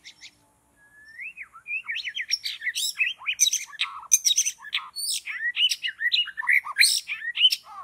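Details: White-rumped shama singing in forest where birds are trapped: a rising whistled opening leading into a long, loud, fast jumble of varied whistles, chatters and harsh notes, continuous and rich.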